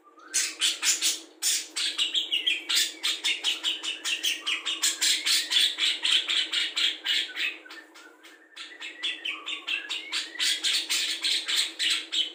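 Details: Budgerigar delivering copied songs of cucak jenggot, kapas tembak, ngekek lovebird and fighting house sparrows, used as a songbird tutor; long loud stream of rapid staccato chirps mixed with slurred whistles, pausing briefly before resuming.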